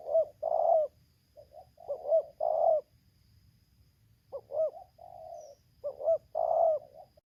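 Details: Spotted dove from Lampung set as a lure to attract a wild bird, voicing 'tarik akar selang nguku': two phrases of soft short coos ending in long rolling coos, separated by a pause of over a second.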